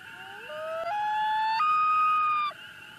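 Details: A Common Loon in Minnesota gives its wail, the long-distance call often heard late at night or early morning to reconnect with its mate: a pure tone climbing in steps to a high held note, breaking off after about 2.5 seconds.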